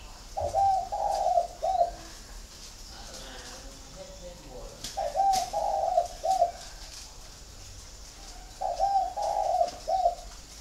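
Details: Captive spotted dove in a flock at a Vietnamese bird garden in Ba Vì, Hanoi, cooing three times in about ten seconds, each phrase of three mellow notes, with faint murmuring voices between.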